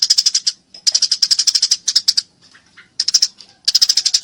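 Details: Fighting Eurasian tree sparrow, its voice called clear: bursts of rapid, sharp, high chirps about seven per second, separated by short gaps with a few softer notes between them.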